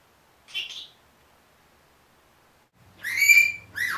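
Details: One-year-old pet Senegal parrot indoors producing mimicked speech: a brief raspy syllable, a pause, then a louder strained, harmonic-rich phrase with a final falling note.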